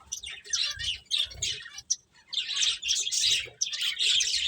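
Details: Short run of rapid, high finch chirps in dense clusters, a brief silence near two seconds, then steady overlapping twittering to the end.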